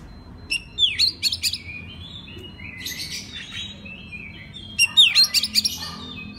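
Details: {'text': 'Master song of an Oriental magpie-robin for training other birds, given in two short bursts of sharp high whistles with quick sweeping and falling notes, separated by quieter scratchy phrases over steady low hum.'}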